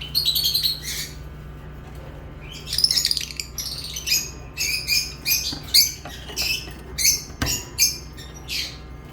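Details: Lovebird chirping: a stutter of thin, sharp, squeaky notes and harsh chips, irregularly spaced, growing busier toward the end, with a low steady hum beneath.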